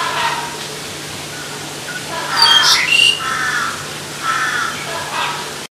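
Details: Black-collared starling giving a short run of harsh, raspy squawks with nasal layered tones, one sharp high whistled note in the middle, ending on a few softer squawks over a steady low hum.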